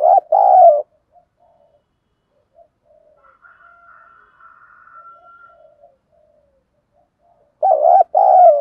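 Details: Captive lure spotted dove calling in the 'thổ' style to provoke wild doves: loud, deep, rolling coos open and close the recording, with faint murmured coos and a thin steady whine between them.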